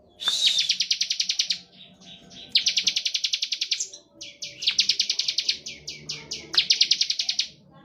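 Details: Bar-winged prinia delivering 'ngebren' song used as a lure for other birds of its kind; several long strings of quick high-pitched pulsed chirps, with a faint low hum beneath.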